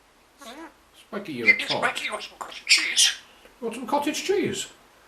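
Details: Pet male African grey parrot indoors, talking to ask for food such as corn and cheese; three bursts of speech-like chatter with wavering, word-like phrases separated by short pauses, in a small quiet room.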